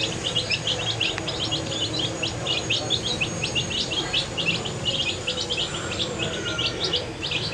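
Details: Many dye-coloured baby chicks peep together while eating food, a busy, overlapping chorus of short high cheeps, several per second, over a low background hum.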